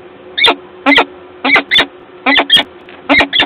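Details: Peregrine falcon at the nest in Gdańsk, Poland, 12 April 2022, gives short harsh paired chips, roughly four pairs spaced about seventy per minute, each grating and clipped.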